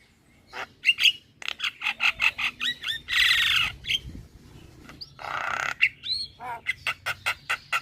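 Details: Starling singing, used to coax caged starlings that have stopped singing: rapid clicking chatter broken by long hissing, screechy bursts and a few slurred whistles.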